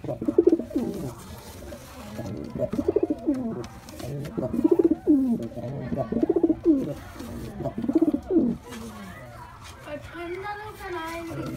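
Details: A white male pigeon performing, giving repeated low cooing phrases, each a quick stutter of pulses followed by a rolling coo, about every two seconds; other birds call faintly near the end in a small indoor space.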